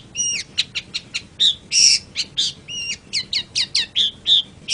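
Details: Long-tailed shrike song from a training recording for cage birds: a varied sequence of sharp chips, forked whistled notes and loud harsh bursts, spaced a few per second.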